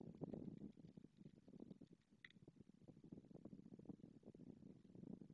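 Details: White stork pair greeting at their nest in Madrigal de las Altas Torres, Spain, as the male arrives just after the female laid their second egg: bill-clattering, a fast hollow wooden rattle of dense low clicks running almost unbroken for five seconds, brief pause mid-way.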